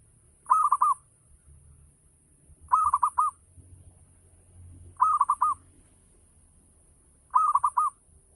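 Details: Local zebra dove in energetic ngayer-style song, used as a lure to stimulate other doves to answer: a clear mid-pitched coo of four quick rolled notes, repeated four times about every two and a quarter seconds, with faint low rumble beneath.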